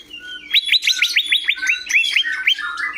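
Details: Rapid series of about fifteen clear, rising whistled notes from a greater green leafbird (cucak hijau), closely spaced and slowing slightly toward the end, over a faint background hum.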